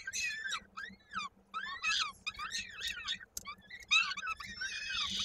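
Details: Nestling peregrine falcon in Koszalin, Poland, 16 May 2022, fed by its mother, a leg stuck in a beak, cries with frantic, wavering squeals and screeches, rising and falling in short broken phrases.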